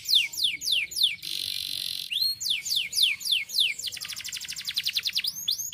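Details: A canary sings a rapid run of high, falling whistled notes, a buzzy hold, then a fast trilled roll, all bright and continuous; played to provoke other canaries to sing.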